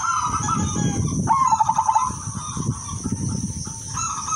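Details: Zebra dove hen of the silver type calling to lure males: cooing notes, then a crisp accelerating pulsed trill and lower trailing coos, with low rumbling background noise and a steady high hum.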